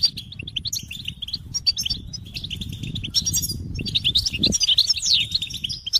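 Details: Goldfinch singing: rapid twittering and chirping phrases, high and bright, some notes slurred upward, broken by short pauses, over a low rumbling background.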